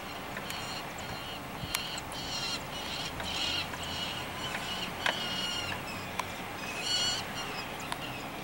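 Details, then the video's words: Juvenile falcon being fed in downtown Joliet, Illinois, on 11 July 2014. It gives repeated high, harsh, wavering calls in short bursts over steady city traffic hum. "juvenile falcon getting fed downtown Joliet IL"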